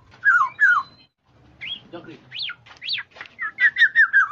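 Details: Black-naped oriole (kepodang emas, also called kepodang jawa) lure call for trapping: two falling fluty whistles, then a mix of upswept notes and a rapid string of short whistled phrases.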